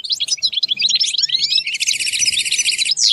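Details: European goldfinch song used to help a caged goldfinch learn its sounds: rapid liquid twitters and rising slurred notes, then a long buzzy trilled passage near the end, with a faint low hum beneath.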